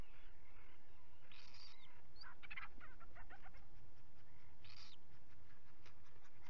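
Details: Common guillemot at a nest on 27 June 2020 as two chicks hatch: two harsh, buzzy bursts about three seconds apart, with faint clicking between them, over a heavy, steady rumble of wind and surf.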